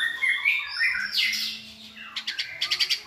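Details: Tutoring song from white-rumped shamas meant to give a selected shama many voices: clear whistled phrases and a sliding note, followed by a quick series of sharp clicking chips.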